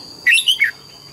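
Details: Brief morning phrase of a red-whiskered bulbul in double-note wild song training: one quick three-part warbled whistle, bright and slurred, lasting under half a second, against a steady high whine.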